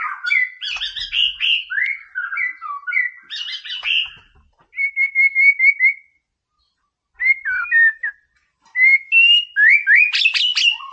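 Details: Singing white-rumped shama, used as a training recording to provoke rivals: rich varied warbling phrases, then a string of repeated identical whistled notes. After a pause come rising slurred whistles ending in an excited flourish.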